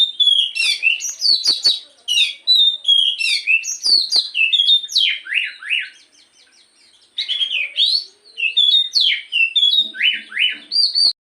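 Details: Black-throated magpie-robin singing in the morning, a stimulus meant to make the bird sing often: rich, fast varied song of whistled notes, sharp slurred rising and falling phrases and scratchy trills, with a short pause midway and a faint low buzz.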